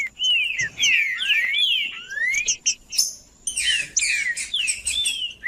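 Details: Green-winged saltator singing in the heated style used to stir up other males: a run of loud slurred whistles sweeping down and up, some rising glides, followed by a denser burst of overlapping chirpy notes.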